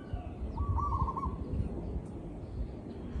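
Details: Zebra dove caught in a real recording, delivering a single drawn-out, rapidly pulsing cooing trill at mid pitch, with low rumble underneath.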